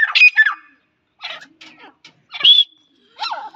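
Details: Kept female grey francolin calling in short harsh squawky bursts, some with a thin whistled edge, separated by brief pauses.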